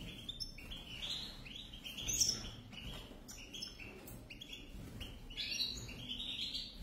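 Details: A pair of European goldfinches, singing fast liquid twitters and tinkling notes in an unbroken flow, one sharper high accent in the middle, light background rumble.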